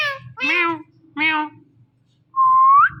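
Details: Indoor talking rose-ringed parakeet: two nasal, harmonic, word-like syllables a second apart, then a pause and a long, pure whistle that slides upward at the end.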